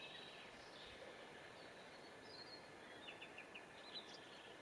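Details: Red crossbill in Alutaguse, Estonia, April 2020: a quick run of four or five short, high, clipped chip notes near the end, over a steady hiss of background noise, with a few fainter calls earlier.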